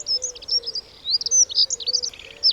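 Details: Dunnock, a common UK garden bird, singing: a fast, high-pitched, scrambled jangle of squeaky notes, likened to a small child pestering its parent for a lolly, tumbling without a clear pattern over a faint low steady hum.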